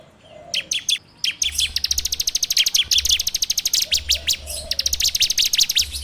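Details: Bar-winged prinia song as a lure for training birds, recorded on an Android phone: long, fast trills of crisp high chirps, briefly broken and then resumed, over a faint low hum.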